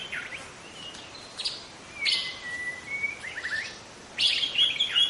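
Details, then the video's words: Young wild forest White-rumped shama: a few chirps, then a long level whistle held for about a second and a half, followed by quick stuttered notes and a loud bright burst of song. "Kicau murai muda hutan"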